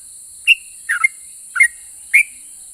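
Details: Yellow-vented bulbul in active song, a rapid ropel pajang style meant to prompt other bulbuls to answer: four short liquid whistled notes, some paired and dipping, spaced about half a second apart, over a steady high hiss.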